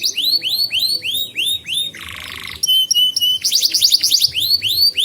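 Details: Tutor song of a canary for teaching young birds and stirring ones that have stopped singing: bright swooping notes repeated about five times a second, a brief harsh buzzy passage, then quick high trills and more repeated slurred whistles.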